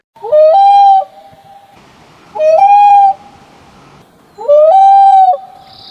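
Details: A common loon (Gavia immer) gives three short, mellow, hooting notes. Each swoops upward and then holds steady, and they repeat about every two seconds over a quiet background.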